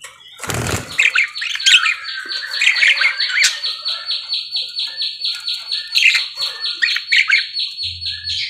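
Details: Parakeet chattering busily: a rapid, evenly pulsed string of high ticking notes runs throughout, mixed with squeaky warbles and short whistles, after a sharp knock near the start.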